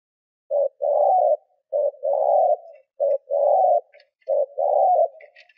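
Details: Spotted dove decoy bird giving urging coos meant to stir wild doves: low, hollow two-part phrases, a short note then a longer rolling coo, repeated about every 1.2 seconds, with faint high chirps near the end.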